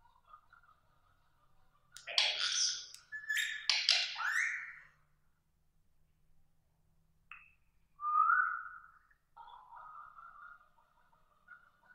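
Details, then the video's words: Pet green ring-necked parakeet in a small room, reacting to its mirror reflection as though it were another parrot: loud rasping, chattering bursts, a pause, then short whistled notes and a brief squeaky phrase. "Parrot talking with mirror"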